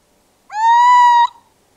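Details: Single Little Owl call from a species common across Europe and often in towns: a clear, nasal, harmonic note that swoops up at the start and then holds steady for just under a second before cutting off cleanly.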